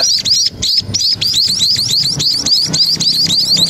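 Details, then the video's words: Munias by a main roadside give a rapid stream of thin, high, slurred chips, several birds overlapping in quick succession, with faint low traffic rumble beneath. "burung pipit"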